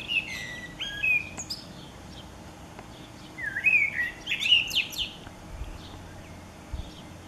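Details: Common blackbird song on 29 April 2019, spring: two phrases of fluted whistles, each dissolving into loud, high squeaky twitters, separated by a quiet pause.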